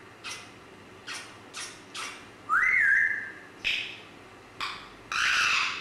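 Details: Grey parrot making a run of short, harsh, raspy calls about once a second, then a smooth rising whistle that levels off, then more grating squawks, the last one long and loud.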